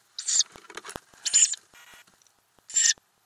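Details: Ural owl family in a nest box where owlets grow and then leave, recorded from inside the box in May 2020; three harsh, breathy hissing bursts, each under half a second, with faint scratching between them.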